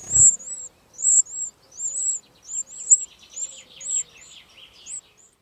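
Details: High, thin, looping chirps from wren chicks being fed by their parents, repeated about once a second, with softer lower twittering later and a low thump at the start.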